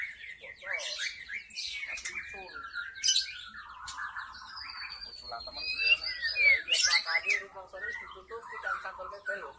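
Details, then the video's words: Forest white-rumped shama song played as a lure for wild birds: dense, varied chattering and warbling with rising whistles and rapid trills, loud throughout, phrases blending into one another. "SUARA PIKAT MURAI BATU ASLI HUTAN 100% MEMIKAT MURAI BATU AGAR GACOR"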